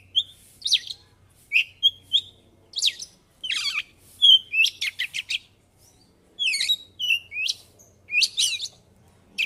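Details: Oriental magpie-robin (kacer) singing in the lively, loud ngobra style, with varied phrases: short whistled notes, buzzy rattling bursts and sharp falling sweeps delivered in quick clusters, separated by brief pauses, with a faint low hum underneath.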